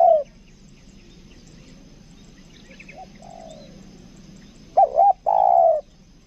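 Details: Spotted dove lure bird, 'kuk dua' style, Lombok: the end of one coo, a faint far coo in the middle, then a full loud phrase of two fast wavy notes and a long falling coo.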